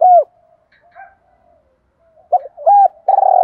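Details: Spotted dove calling coo for prompting duels; a falling hooked coo, soft faint notes, then quick coos leading into a long buzzy rolling note at the end.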